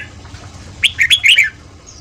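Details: Red-whiskered bulbul giving a fast morning 'ché' training song to provoke newly caught birds into singing: one quick phrase of four or five loud, bright, slurred whistled notes lasting under a second.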